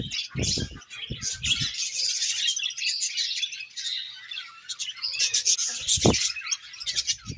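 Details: Budgerigars keep up a constant, dense high chirping and warbling chatter, with occasional low knocks and taps.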